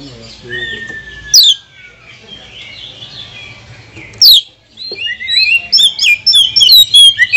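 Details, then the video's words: Kacer, the Oriental magpie-robin, singing to provoke other birds: a thin falling whistle, two isolated sharp downslurs, then a rapid burst of chattering, twittering high notes toward the end. "Kacer mana yang tak mau Konslet dengar pancingan suara kacer ini | kacer gacor"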